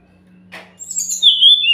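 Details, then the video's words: Brown-chested jungle flycatcher lure song for provoking birds to call back: a short rustle, then high thin whistles ending in a long, clear, level note that drops slightly at the end. "pancingan SRDC yang gak mau bunyi pasti nyahut"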